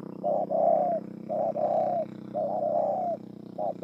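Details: At Bờ Y, Kon Tum, Vietnam, on 28 November 2017, a spotted dove repeats its song: a clipped note, then a longer, mellow coo, several times in a row against a soft low background tone.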